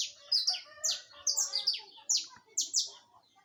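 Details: Live saffron finch song, a lively string of bright, high, downslurred chirps, some doubled, delivered in quick uneven succession with quieter twittering underneath.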